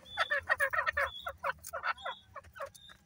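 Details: Black francolin chicks in the breeding season, giving rapid, harsh, chattering calls at roughly three to four per second in uneven bursts, with brief thin high whistles threaded between them.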